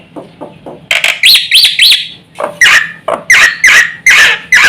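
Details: Black-winged myna (jalak putih) singing to stir other mynas into calling: soft notes, then looping whistled phrases followed by repeated loud, slurred squawking whistles at roughly half-second intervals.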